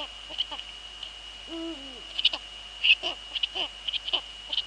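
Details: Eurasian eagle-owl pair in the Netherlands on the evening of 2 February 2013, 19:15, female at the nest and male nearby: a long bending harmonic hoot, then irregular short downslurred notes, under a steady high-pitched whine.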